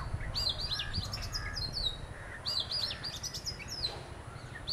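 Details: Oriental magpie-robin from a pair: fast clusters of high, thin chirps and downslurred whistles coming in bursts about every two seconds, with steady low-pitched background noise.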